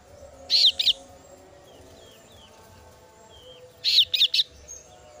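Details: Female kasu-kasu bird chick calling its parent: two short bursts of high, bright, slurred chirps, each burst of two or three quick notes, separated by about three seconds of quiet, with faint thin whistles between.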